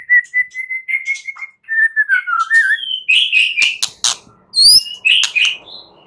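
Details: Night-time white-rumped shama song meant to coax other shamas into answering: a run of level whistled notes, a falling slurred phrase, then loud clicks and high rising sweeps mixed with chattering notes.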